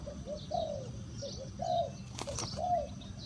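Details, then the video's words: Spotted dove (chim cu gáy) used as a decoy to lure wild doves, giving soft low coos in a repeating phrase of short and longer notes, about one per second, with a brief rustle and outdoor background noise. "Chim cu gáy chiêu kích mồi tập bổi nhanh nổi hiệu quả"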